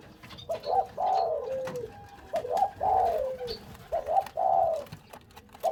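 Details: Barbary dove kept as a lure bird, calling in two-part coos: a short rolling lead-in followed by a fuller, purring downslurred note, repeated about every one and a half seconds, with faint clicks in the background.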